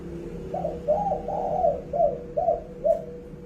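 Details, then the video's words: Loud call of a spotted dove: six mellow, hollow coo notes in quick succession, a short opener, two longer drawn-out notes, then three clipped coos, over steady low hum. "burung derkuku suara yang nyaring"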